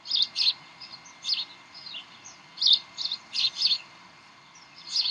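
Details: Bald eagles at the Decorah nest on 18 May 2012, recorded at 7:45 pm during tug of war and play: short, quiet bursts of high, chittering squeaky notes spaced irregularly, with near silence between them.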